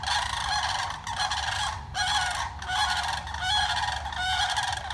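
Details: Four wild sandhill cranes standing on a spit of land across from a house, calling loudly: continuous rolling, rattling trumpeted calls in overlapping bursts of about a second, briefly pausing and then resuming.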